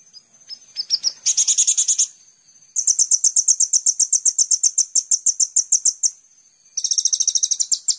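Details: Kolibri ninja (Van Hasselt's sunbird) master recording for songbird training: a few scattered high notes, a dense buzzy trill, then a long string of rapid chirps and a closing buzzy burst.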